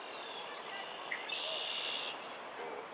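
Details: Wild red-winged blackbird in Quebec, Canada, in summer 2023. It gives one harsh, buzzy trill of under a second over a steady hiss of background noise.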